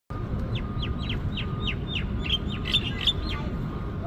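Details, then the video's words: Javan myna in Singapore giving a rapid series of sharp, downward-slurred chirps, about five per second, over steady low traffic rumble and a faint constant hum. "Javan Myna (Mynah) Chirping"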